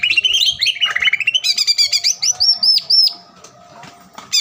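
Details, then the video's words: Energetic green leafbird song used to stir a rival into calling: varied chattering notes sliding up and down, then several loud high whistled slurs, ending abruptly. "PANCINGAN CUCAK IJO GACOR AGAR CUCAK IJO LAWAN SEKETIKA LANGSUNG BUNYI DAN EMOSI"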